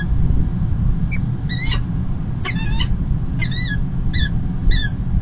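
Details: Peregrine falcon, the male bringing early breakfast, Kingston College, UK, 1 March 2021. Sparse, spaced squealing notes, several in quick pairs, over a loud constant low hum.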